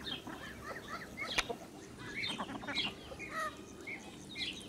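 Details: Blue Muscovy duck with ducklings at a farm in July 2017: a steady stream of thin, upslurred peeps and chirps from several young birds, overlapping, with one sharp click.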